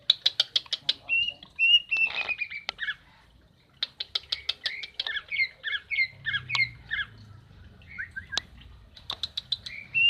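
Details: Female common iora call for rousing a male that has gone quiet: fast rattling trills of clicky notes alternating with strings of short whistled chips, the rattles recurring several times, faint low hum beneath.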